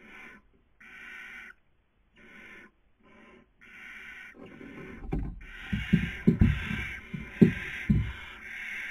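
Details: Barn owl, 2020 breeding season, nest camera in Cabañeros National Park, Toledo/Ciudad Real, Spain: a run of short harsh hisses, one after another, then loud knocking and thumping sounds mixed in with continuing hisses.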